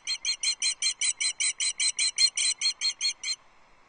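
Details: A female osprey on a Loch Arkaig nest, filmed by a livestream camera on 6 July 2024, fish calls to her mate without reply. About seventeen loud, evenly spaced, high whistled yelps, then the calling stops.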